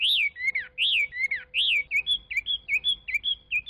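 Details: Chinese hwamei voicing arching, full whistles alternating with lower slurred notes, followed by a quicker series of short, even whistled notes.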